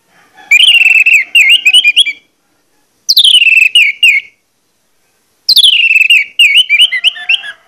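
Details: Orange-headed thrush singing a loud, clear, persistent lure song meant to stir other orange-headed thrushes into singing: three rich warbled phrases of rapid whistled notes and trills, each about one to two seconds, separated by short silences.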